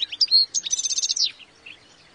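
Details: European goldfinch giving a high, tinkling twitter: a few sharp chirps, then a rapid buzzy run of liquid notes lasting under a second, fading into quiet.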